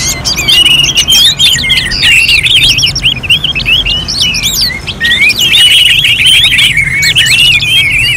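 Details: Orange-headed thrush singing, arranged like a bird-contest simulation: a long, busy run of bright whistled phrases, trills and zigzagging chirps, rich and unbroken, with a brief dip in loudness midway before resuming strongly.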